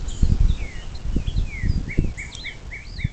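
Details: Bald eagle at a nest on the Little Miami National Wild and Scenic River, southwest Ohio, at 07:02 on 26 April 2024: short high piping notes, each repeated about every quarter second, mixed with sliding chirps from other birds and low knocks.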